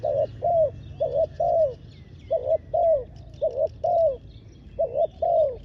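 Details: Spotted dove used as a decoy on the ground to attract wild doves, repeating soft doubled coos in two bursts with a pause between; high twittering from other birds and low background hum throughout.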